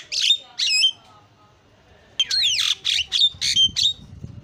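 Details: Javan myna (jalak kebo) singing a lure and filler song for training: harsh squawking notes and clear whistled upslurs, a pause of about a second, then a quick run of mixed whistles and rasps.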